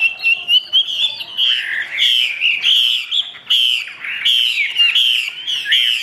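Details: Caged Chinese hwamei singing, tail spread wide: a continuous stream of bright whistled phrases, warbled slides and clipped sharp notes, loud and unbroken.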